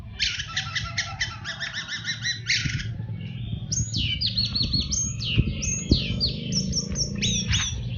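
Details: Caged-bird training master of an orange-headed thrush in teler style: a run of rapid buzzy pulsed notes followed by a long string of crisp down-slurred whistles, low background hum.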